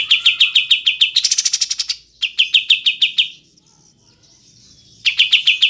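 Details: Triller (kapas tembak) song recorded as a clear training recording with long pauses for cage birds: fast series of sharp, even chirps, a brief higher buzzy burst, then more chirp runs separated by a quiet gap.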